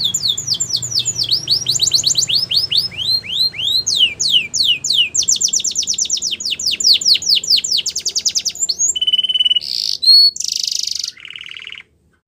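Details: A yellow Belgian canary singing in the wild gives a fast, high, rolling song of repeated sweeping notes and rapid trills, ending in a few flat, buzzy tones.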